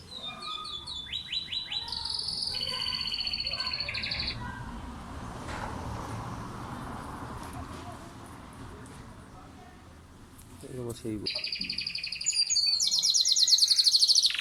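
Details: Pet domestic canary singing in early morning at home in Islamabad, Pakistan. Rapid rattling trills and high repeated notes open the clip, then a noisy middle stretch, then loud, dense trilled phrases at the end.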